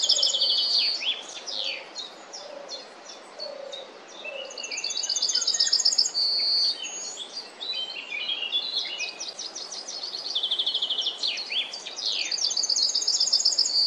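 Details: Singing Yellowhammer in a busy bird chorus. Its phrases of rapid repeated high notes end in a sustained, slightly lower note. Other songbirds chirp throughout, and soft low tones sound early on.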